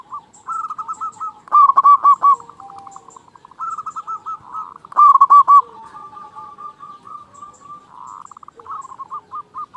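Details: Loud local zebra dove played to make quiet caged doves call; staccato trilled coos repeat in bursts every few seconds, with softer cooing from other doves between them.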